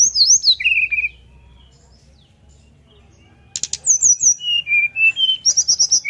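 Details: Sunda forktail singing with open beak in a flute-like style meant to draw another of its kind into song: falling high whistles and a lower trill, a two-second pause, then buzzy chips and a run of whistled notes.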